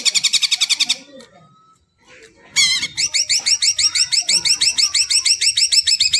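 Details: Greater green leafbird song for coaxing quiet birds to sing: a short burst of rapid high notes, a near-silent pause, then a steady series of looping, repeated whistled phrases.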